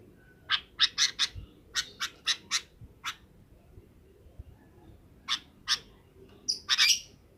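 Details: Afternoon calls of a sooty-headed bulbul summoning companions to roost: scattered rasping chirps in short bursts with a quiet gap midway, ending in a louder cluster of harsh notes.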